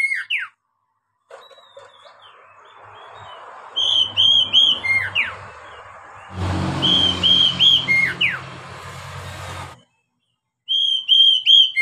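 Oriental magpie-robin singing clear, high whistled phrases with quick down-slurred notes, repeated in bursts, over a steady hiss and low hum.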